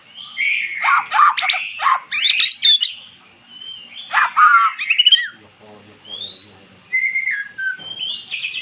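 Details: Magpie-robin that would not sing, coaxed into song by recorded song of the same bird type. Dense scratchy, clicky phrases come in two bursts, followed by scattered clear whistles and a faint murmur.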